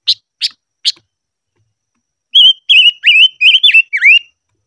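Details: Silver-eared mesia, ché-style song during voice training: three sharp chips, a pause, then a brisk sequence of pure whistles with dips and wavers, the final notes swooping down and up.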